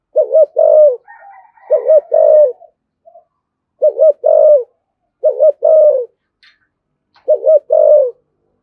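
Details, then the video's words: Series of spotted dove coos in the deep 'thổ sấm' style, thúc gù and calling: five phrases about a second apart, each a quick double note plus a held coo, with faint chirps from another bird behind. "cu gáy thổ sấm THÚC GÙ và gáy gọi chuẩn nhất hiện nay"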